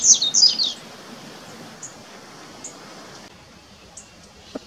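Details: Double-collared Seedeater, swaying in the wind in a reserve near Uberlândia, Brazil: a quick burst of very high, tinkling notes in under a second, followed by a few faint, thin chirps over a quiet background.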